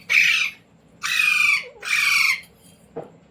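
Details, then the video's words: Indian Ringneck kept as a pet and trained to say "mummy" and "roti roti" gives three raspy, strident bursts of about half a second each, evenly spaced, with a faint click near the end. "Parrot Talking | मम्मी | मिट्टू | रोटी रोटी | तोते को बोलना सिखाये | Talking Parrot"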